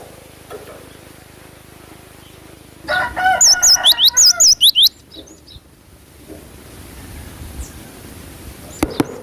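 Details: Cinereous tit phrase of rapid, high, bent whistles repeated about a dozen times, opening over a harsh, broad crow from a rooster, followed by quieter background noise and a couple of clicks.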